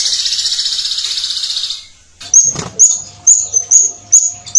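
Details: Violet cuckoo giving a clear, dense 'tembakan' burst: a fast, even high buzzy trill lasting nearly two seconds. After a short pause comes a row of sharp, high upslurred whistled notes, about two per second.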